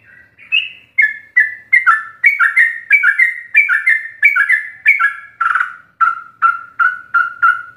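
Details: Yellow-vented bulbul singing a rapid, continuous 'ropel' style song full of varied fill-in notes, used as a master recording for training captive birds: clear whistled two-note phrases about twice a second, a brief harsh burst, then steady repeated whistles, no background sounds.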